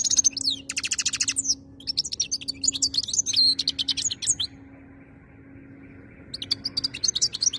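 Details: European goldfinch kept in Algeria sings fast high twittering phrases with buzzy trills, pauses briefly near five seconds, then resumes, over a low electrical hum.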